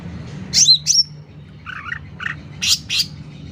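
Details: Sooty-headed bulbul singing actively, loud recording meant for tutoring and luring birds: two sharp, high downslurred whistles, then buzzy mid-pitched chattering notes and two more sharp whistles, over a low steady hum.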